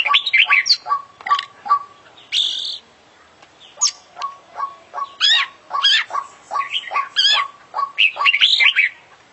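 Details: Energetic fill-in song of a champion oriental magpie-robin: rapid chains of low clipped notes with sharp upward sweeps, interspersed with buzzy high phrases and warbled twitters, and a brief pause midway.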